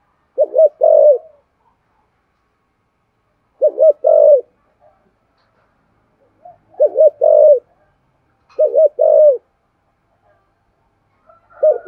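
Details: Spotted dove cooing to stimulate decoy birds: short bursts of two or three quick coos separated by long silences of roughly three seconds, phrases repeated five times.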